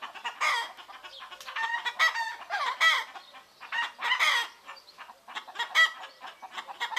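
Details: Morning flock of chickens recorded in Greece: dense, overlapping clucks and rough squawking notes come in bursts about every half second, with a short lull near the five-second mark.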